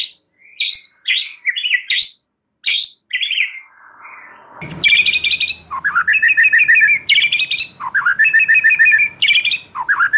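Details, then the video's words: Lure song for a young wild-caught White-rumped shama just out of spotted plumage: first scattered sharp upswept whistles, then a dense run of rapid chattering trills with repeated dipping notes. "Memancing murai batu MUDA HUTAN dan LEPAS TROTOL agar GACOR NGEPLONG"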